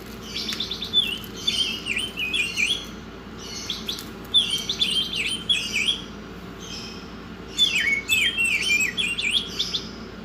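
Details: Oriental magpie-robin singing in a masteran recording: clusters of rapid scratchy notes and bent whistles, each burst about two seconds long with short pauses between, over a steady hum.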